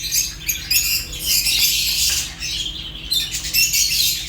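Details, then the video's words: Fischer's lovebird and other African lovebirds chatter in a continuous, high, scratchy stream of squawks that swells around the middle and again near the end, over a faint low hum. "African lovebirds chirps sounds | تغاريد فيشر غندور روز"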